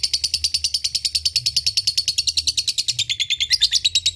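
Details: Lovebird ngekek used as a lure so other lovebirds answer back: a continuous rapid, high, chattering trill of evenly pulsed notes, around seven per second, holding steady throughout.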